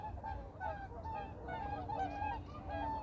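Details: A family of whooper swans at Baedal-ji reservoir gives overlapping, nasal, honking trumpet notes, about two or three a second, over a low background rumble.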